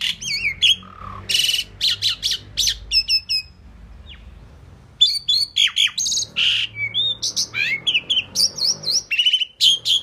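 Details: Talking Indian pied myna, said to mimic words including "mynah"; harsh broadband squawks and twisting whistled notes in quick runs, a pause of about a second near the middle, then renewed rapid chatter.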